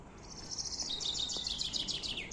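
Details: Common chaffinch singing near a temple beside a water source and pond: a bright, rattling phrase of quick notes that drops in pitch and ends in a sharp flourish, over faint background noise.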